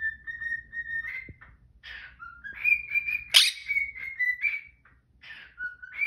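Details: A domestic cockatiel whistles a cheerful morning melody of sustained and stepping notes. A pet Quaker parrot objects with raspy squawks and one loud sharp shriek in the middle.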